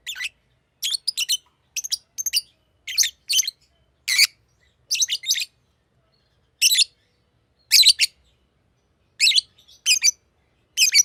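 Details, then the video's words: Green lovebird chirping busily: rapid, shrill, scratchy chirps, often in pairs, about fifteen bursts in eleven seconds, nothing else audible. "Green Lovebird Chirping Sound"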